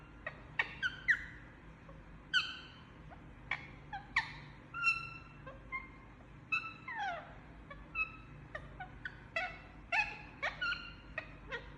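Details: Parrot calling while asleep: a scattered series of short squeaky notes and downslurred whistles, some clear and tonal with bright overtones, spaced irregularly every half second to a second, over a faint low steady hum.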